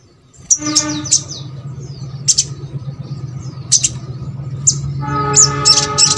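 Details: Sogok ontong song used as a lure to make birds of its kind sing: scattered sharp high chirps and short twittering bursts over a steady low mechanical hum with tonal whine.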